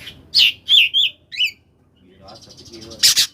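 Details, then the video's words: Koslet oriental magpie-robin song meant to set reluctant magpie-robins singing: a few loud, sweeping whistled notes, then a quieter buzzy rattle ending in a harsh burst. "kacer koslet cocok buat pancingan kcer yang males bunyi di jamin langsung nyaut"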